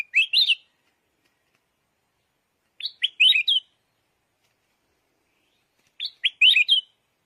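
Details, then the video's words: Red-whiskered bulbul, a yellow decoy bird, repeating a quick rich warbled phrase about every three seconds, three times, each a tumbling run of liquid notes, with silence between. "chim chào mào vàng chim mồi"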